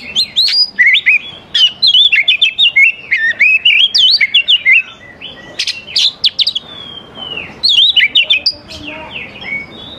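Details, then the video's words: Dense, nonstop oriental magpie-robin song, used to lure young forest birds into singing; rapid chains of clear whistled notes and sharp chips, jumping in pitch, with a few brief gaps. "KACER GACOR SANGAT AMPUH UNTUK MEMANCING KACER MUDA HUTAN BIAR IKUT NYAUT DAN LANGSUNG GACOR"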